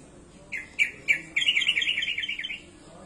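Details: Lively sooty-headed bulbul song rich in fill-in phrases: three separate clipped chirps spaced about a quarter second apart lead into a fast bubbling string of warbled, slightly descending whistled notes.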